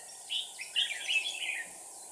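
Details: Red-whiskered bulbul used as a decoy bird, singing to provoke rivals: a short burst of quick whistled, warbling notes between roughly mid and high pitch, with a steady background hiss.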